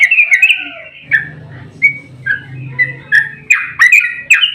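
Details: Sooty-headed bulbul in fighting mood giving a long rapid 'ropel' song meant to provoke other bulbuls to sing: loud, bubbly, warbled phrases and sharp whistled notes, with a low rumbling hum between phrases.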